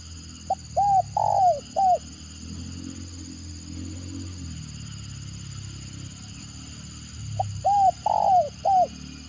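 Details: Spotted dove in the stuttering 'gagap' style, a lure call said to draw lively replies from other birds. Two widely spaced phrases, each a short pip and three mellow coos with a longer middle note, over a low rumble and a steady high hum.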